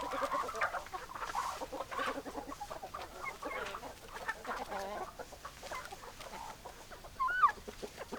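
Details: Domestic chickens clucking: a continuous murmur of low, soft hen clucks with short rising calls, one sharper squawk near the end, over a faint noisy background.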